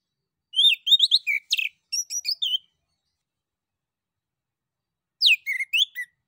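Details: Male orange-headed thrush song played as a lure so other birds answer: fast runs of varied, sharply modulated chirps and whistles, a silent gap of over two seconds, then a shorter burst of similar notes.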